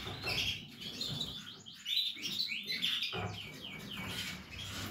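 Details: Captive Portuguese Harlequin canary chicks sending out rapid high chirps and descending notes, partly masked by steady background hiss.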